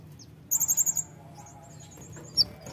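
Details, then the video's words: A brown-throated sunbird, called a fighter sunbird, gives a quick run of six sharp, very high chipping notes, then a few faint high notes and one louder chip. "Kolibri Ninja Fighter Pasti Langsung Nembak"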